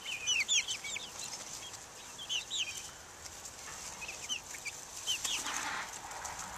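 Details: Chicks of three breeds, Buff Orpington, Black Australorp and Ameraucana, outside in 2010; sparse pairs of thin upward-curving peeps, louder at the start, then fewer calls with a soft rustle.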